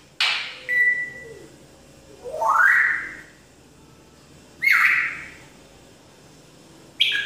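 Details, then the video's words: African grey parrot, a pet, imitating sound effects: a sharp burst into a held whistle, a long rising swoop, a loud upward whistle, and a final sharp note, separated by quiet gaps. "parrot making all sound effects"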